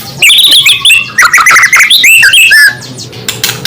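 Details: Murai, the white-rumped shama, singing a native song used to provoke other shamas; rapid, varied whistled phrases with swooping and trilled notes for over two seconds, then quieter scattered sounds.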